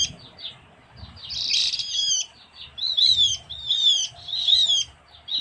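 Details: Javan grey-throated white-eye lure call from Java's forest: a harsh burst followed by several high, quavering, descending chirp phrases repeated about every second, over low background murmur.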